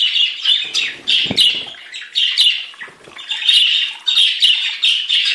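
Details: Mixed budgerigars chatter in a rasping, high warble of repeated scratchy bursts. A lower thud or rustle stands out briefly near the start.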